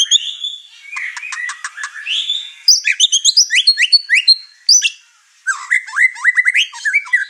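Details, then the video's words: Highly excited white-rumped shama showing off its repertoire as the other birds in the house grow agitated. The song mixes stuttering clicks, rapid jumbled high notes and chattering phrases, with a brief pause before a final burst of rising notes. "Murai Batu Over Emosi Bongkar materi"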